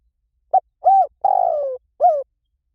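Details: Spotted dove cooing, played to lure doves and train them to call back in the local lio tan style: a short note, a rounded coo, a long buzzy falling coo, then a final coo, clean and without background noise.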